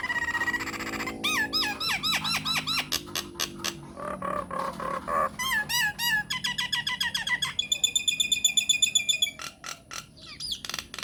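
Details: Myna song recorded as a lure for other mynas to answer: long series of rapid hooked, harmonic notes, a few per second, passing into a fast, high, even trill of ringing chips, then scattered clicks.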